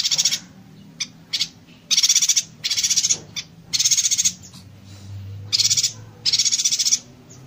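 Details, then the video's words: A yuhina in dense, rapid-fire song used as a tutor for other songbirds: high, rapid buzzy trills in half-second bursts, repeated almost without pause, over a faint low hum. "Suara Burung Yuhina Konslet Tembakan Rapat"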